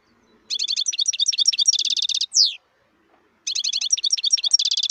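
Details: Wild European goldfinch from a 2018 recording: two bursts of quick, bright, tinkling twitters with buzzy trilled passages, the first closing on a downward-sweeping nasal note.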